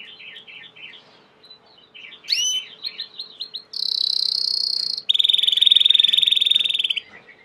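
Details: Belgian canary singing soft chattering notes with an upward sweeping whistle, then a loud level high trill followed by a lower fast rattling roll.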